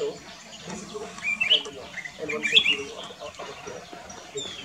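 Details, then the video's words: At Kyari Village in Corbett National Park, a black-crested bulbul sings clusters of quick, clear whistled notes, two brighter phrases standing out above a background of low chatter resembling voices. "Black crested bulbul - Singing"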